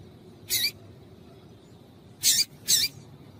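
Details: Call of a female double-collared seedeater, used to make males sing: one high chip, a pause of over a second, then two close chips in quick succession over low background noise.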